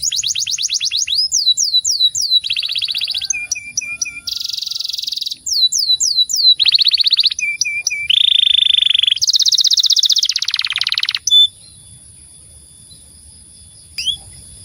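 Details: Canary giving a continuous rolling song meant to provoke other canaries: bright, high trills and rapid rolls in quick succession, buzzy churrs and repeated upslurred notes changing pitch, ending abruptly after about eleven seconds, then a short chirp.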